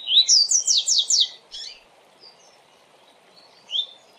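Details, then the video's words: A Double-collared Seedeater sings a fast 'tui tui' song used for training young birds: a high burst of sweet, slurred notes lasting just over a second, then a few scattered chips over a steady low hum. "Tui Tui Rápido de Canto Ótimo para Manejo e Encarte - Coleiro Professor Aprendizado"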